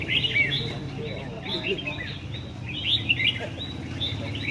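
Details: Competition singing by a red-whiskered bulbul in Vietnam: short, bright, warbling whistled phrases in separate bursts, with brief pauses between them. A low hum sits underneath.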